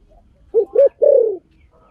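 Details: A single spotted dove phrase: two quick, soft, low coos followed by a longer coo that slowly falls in pitch. Faint background hum.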